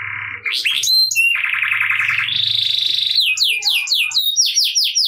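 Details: Canary in ngerek style, played to get lazy canaries singing, opens with a buzzy rattle and a steady rolling trill over a faint low hum, then breaks into a run of fast down-slurred high notes.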